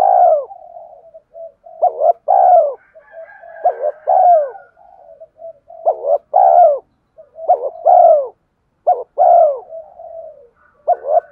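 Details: Spotted dove in the rapid "thúc" cooing style, meant to provoke a decoy bird to coo: a continuous run of strong, throaty double coos, each a short note then a longer swelling one, with faint quieter coos woven between them.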